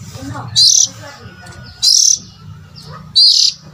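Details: Magpie-robin sound meant to lure adult birds. Three loud, piercing chirps ring out at even intervals of roughly one and a half seconds, with a faint low rumble and murmur between them.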